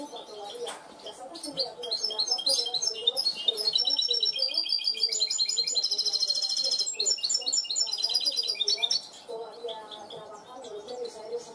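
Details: Goldfinch hybrid educated to cante limpio: a sustained burst of dense twitters, rattles and a buzzy trill for several seconds, then dropping to soft sparse chirps.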